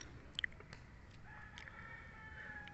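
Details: Chicken call among a flock of hens: a few sharp clicks and knocks early on, then a drawn-out, faint tonal call with stacked harmonics running through the last second and a half, over steady background hiss.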